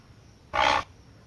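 A heron gives a single harsh, hoarse squawk lasting about a third of a second, rough and broad-toned, against quiet background hiss.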